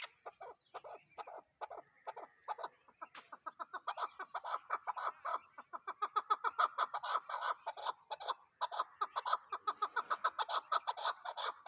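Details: A chukar partridge's clucking call builds from scattered chucks into a fast, insistent, evenly pulsed series that grows louder midway and continues strongly to the end.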